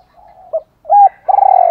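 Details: Female decoy spotted dove calling to stimulate males: a faint hum, a short note, a sustained arched coo, then the start of a long pulsing trilled coo.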